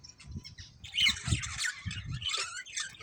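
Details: Budgerigars giving a short burst of scratchy, squawking chatter mixed with brief high chirps, the calls rising in a loud flurry mid-way and trailing off, with low rumbling thumps underneath.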